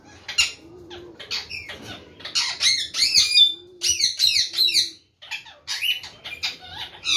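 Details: Parrot giving harsh, rapid squawks and screeches in bursts, each with sharp downward-sweeping notes, with a brief pause near the fifth second and a faint low hum between calls.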